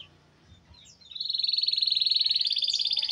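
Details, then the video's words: Canary song played to coax silent canaries into singing: after a few soft chirps, a loud, fast, even buzzing trill of rapidly repeated high notes runs without a break for over two seconds. "Kenari Nggak Mau Bunyi? Putar Suara ini setiap hari suara asli kenari"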